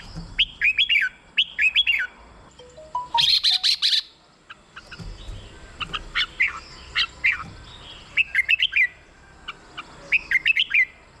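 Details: Red-whiskered bulbul song, used as a decoy or to excite caged birds: short liquid phrases of three or four bright, warbled notes, repeated, with a harsh rasping burst and a falling whistle midway.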